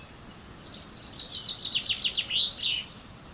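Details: A single common chaffinch (Fringilla coelebs) song phrase that starts softly, builds into a rattling descending series of high notes, and finishes with a brighter terminal flourish; steady light background noise.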